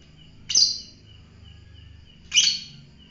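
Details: Fighter-type lovebird giving two loud, shrill, harsh chirps about two seconds apart, each a brief burst, over a faint steady series of short high ticking tones and low background hum.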